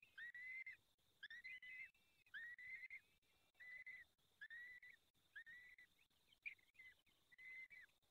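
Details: During the fifth feeding at a peregrine falcon nest, Barycz Valley, 23 April 2020, 19:28, about seven whining whistled calls repeat roughly once a second, each slightly rising then dropping off.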